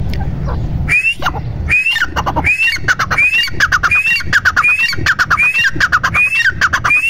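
A grey francolin gives shrill, rising whistled notes with harsh squawky edges, repeated about every three-quarters of a second in a loud, steady series.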